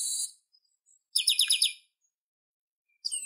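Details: Chestnut-capped blackbird: a brief pulsed, buzzy rattle of about five quick notes, framed by hissing high bursts at the start and the end.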